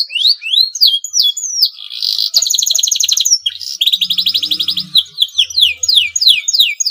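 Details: Breeding male canary singing to get rival canaries singing; looping whistled phrases, a buzzy roll, quick rattling trills and descending slurred notes in continuous high song, slight low hum behind.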